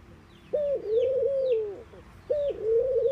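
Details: Low mellow cooing from a mourning dove: one long sliding coo, then the start of another about two seconds later. Faint high twittering from small birds plays behind it.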